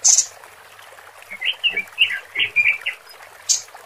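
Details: A female robin's lure call for males: a short hiss, then a soft series of chirping, slurred notes with faint low knocks underneath, ending in another brief high hiss.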